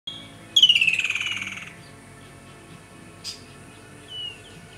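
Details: Woodland kingfisher calling at Boshoff's Berge, Rooiberg, Thabazimbi, South Africa: one loud, high opening note breaks into a rapid pulsed trill that falls and fades over about a second. Later comes a brief sharp note, with faint background music throughout.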